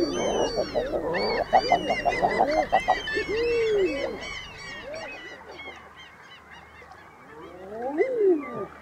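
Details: Common eider among a noisy flock: busy overlapping calls at first, then clear arched, moaning coos, with scattered higher squeals and a final falling coo rising out of quieter background.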